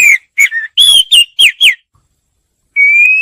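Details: Oriental magpie-robin song used as a lure: a quick run of short, loud whistled notes, several sliding downward and some slurred up then down, then a pause and one long, steadily rising clear whistle. Background is quiet.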